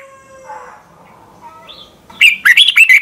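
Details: Red-whiskered bulbul song played for caged birds to learn, from Thailand: a short burst of loud, quick warbled notes near the end after faint low tones and a brief rising whistle.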